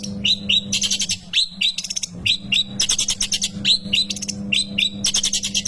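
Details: Long-tailed shrike song meant for tutoring young cage birds: paired upslurred whistles broken by harsh, rattling chatter bursts, repeated several times, with a faint steady low hum in the background.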